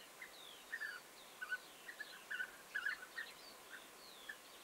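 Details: Quieter, more distant European bee-eaters, 29 May 2021: scattered soft rolling calls in small clumps, with faint high thin notes drifting in the background.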